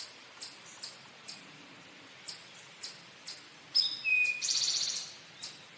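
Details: Regular faint ticking clicks lead into a male Eastern towhee's "drink your tea" song near the end: a thin high note, a lower whistle, then a loud buzzy trill.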